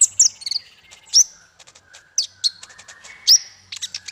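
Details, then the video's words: Varied bird song played as masteran for small fighter birds, mixing shrill high notes, slurred whistles, and rapid clicking chips in an uneven, chattering phrase. "Masteran paling merdu untuk burung faigter kecil"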